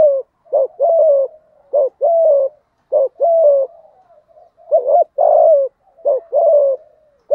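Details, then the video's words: Spotted dove with the thổ voice, cooing to provoke a rival male: steady series of two-part coos, a short hooked note then a longer mellow tone, about fifty per minute. "Tiếng cu gáy giọng thổ thúc gù kích bổi hiệu quả"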